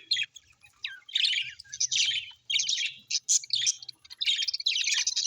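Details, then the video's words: Cheerful pet budgies give choppy bursts of rasping, high chatter and sharp tweets, separated by short quiet spells, with a faint low hum in the room. "Happy budgies chirping sound"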